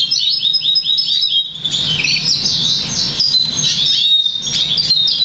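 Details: Black siskin × Russian canary hybrid, crested and 50% variegated, bred in August 2009 and trained to goldfinch notes, sings a fast run of repeated high tweets followed by a dense, scratchy twittering warble over low background hum.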